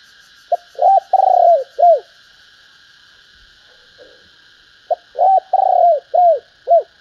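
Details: Female spotted dove calling to excite males: two bursts of soft cooing, each a string of short hollow notes, the middle one drawn out and the last falling, separated by about three seconds of quiet.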